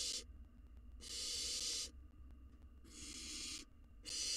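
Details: Wild barn owl nestling eating a mouse in a nest box, rasping hisses of nearly a second each, roughly every two seconds, cut off at both ends, over soft low background noise.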